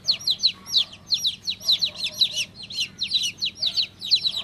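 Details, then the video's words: High sweet peeping of a baby chick, quick falling chirps strung in little bursts separated by brief silences, over four and a half seconds. "Cutest baby chick chirping sound"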